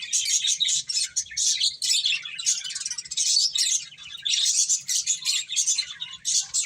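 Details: Finches feeding and chirping in loud, dense bursts of high, scratchy tweets, each burst lasting about a second, broken by brief pauses.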